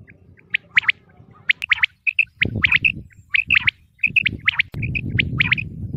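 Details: Quail (batair) calls from a Mianwali hunting recording, described as the female's voice: many short bright chirps, often paired or tripled, repeated about once a second, with low rumbling background noise in the second half.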